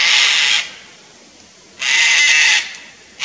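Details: Upset at a Lace Monitor near their nest, a pair of Sulphur-crested Cockatoos on the Fraser Coast of Queensland, Australia, gives one loud rasping screech, a second-long silence, another screech, then the start of a third.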